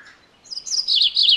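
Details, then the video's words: Loud MacGillivray's warbler phrase caught partway through, a quick series of bright, buzzy high notes repeated in a rolling rhythm, with no other sounds. "MacGillivray's Warbler Song ! MacGillivray's Warbler Sounds ! MacGillivray's Warbler Call"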